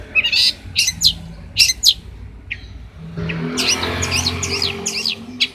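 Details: Long-tailed shrike, a Banyuwangi champion bird kept as a master singer for training: scattered loud, scratchy whistled phrases, then a dense, chattering burst of varied notes over a low engine rumble.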